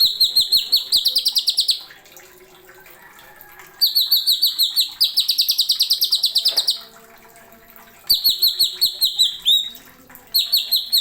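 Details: Greater green leafbird (cucak ijo) in masteran-style song with sharp 'nembak' filler phrases: rapid bursts of buzzy, trilled high notes repeated in fast runs, separated by short pauses, with faint background rustling.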